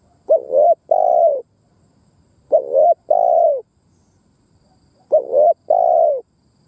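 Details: Decoy spotted dove cooing to provoke rival birds: three paired coos, each pair a wavering note followed by a smooth falling one, repeated about every two and a half seconds in quiet surroundings.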